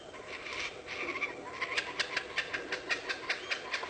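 A lyrebird gives a run of sharp, crackling clicks and snaps, about two or three a second, over a soft rushing background.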